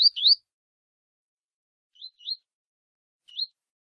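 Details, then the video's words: Tui tui style Double-collared seedeater warming up with a female before a contest: a loud opening pair of upslurred whistles, a pause, then a softer pair and one single rising whistle on clean silence. "Aquecimento Coleiro Tui Tui com Fêmea !!!"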